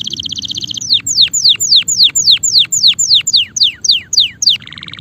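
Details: Male canary singing: a fast run of bright whistled notes sweeping steeply downward, about four per second, opened and closed by short buzzy rolling trills.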